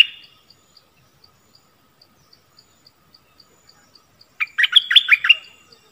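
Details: Decoy bulbul calling to lure wild birds, 16 March 2021. Faint regular ticking comes first, then near the end one loud burst of bubbly, tumbling chirps.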